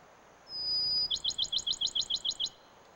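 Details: Male Bachman's sparrow singing, combining an introductory whistle with a trill: a long, pure, high whistle, then a quick trill of about ten sweet notes, over a faint hiss of background.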